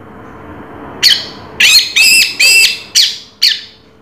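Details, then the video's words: Orange-headed thrush, known locally as anis merah, in raja teler song: six loud, harsh, squeaky phrases with ringing overtones, given in bursts about half a second apart over a soft background hiss. "Suara Burung Raja Teler Anis Merah"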